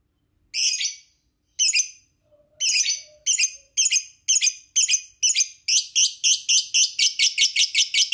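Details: Lovebird chirping shrilly, with scattered notes at first that speed up into a rapid, even string of harsh high chirps. Played as a lure to get lovebirds chattering in the long ngekek style.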